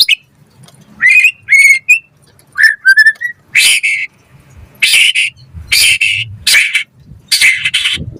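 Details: White-rumped shama song used as a training lure for caged birds: a few rising, warbled whistles followed by a series of harsh, broad, rasping bursts repeated roughly every second.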